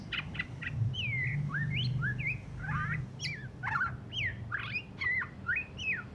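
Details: Song of a white-rumped shama just out of moult, still twittering roughly; a few short clipped notes open a string of looping, swooping whistles and sharp upward slurs, over a constant low background hum.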